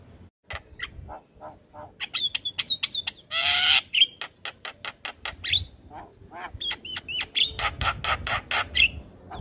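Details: Javan myna song meant for training young mynas to sing: harsh squawks, clicks and rapid broadband rattles mixed with sharp whistled notes near the top, in bursts across the clip.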